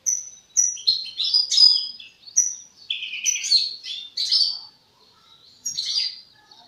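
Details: European goldfinch youngster still shaping its song, giving quick, uneven bursts of tinkling, buzzy high twitters with short silences between phrases.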